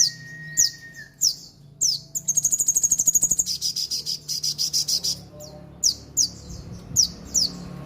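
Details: Horsfield's babbler, a keen singer from Mojokerto: high slurred notes, then a rapid rattling trill of about twenty pulses lasting around three seconds, and more spaced high downslurs to finish.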